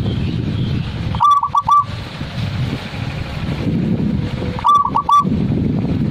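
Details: Zebra dove singing two similar phrases about three seconds apart. Each phrase is a quick run of bright, clipped cooing notes followed by a held tone, set against a continuous low rumble.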